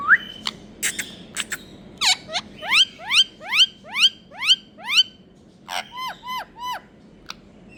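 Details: Indian rose-ringed parakeet uttering a rapid series of about ten shrill, upward-sweeping screeches, roughly two per second, followed by a cluster of shorter falling squeaks and a lone click.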